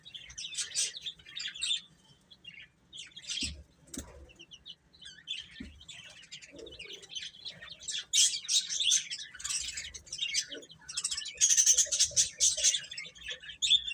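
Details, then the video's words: Several young chickens chirp together, a busy chorus of shrill, short peeps that thickens toward the end, with occasional rustles and light thumps. "Cute Chicks Chirping Sounds"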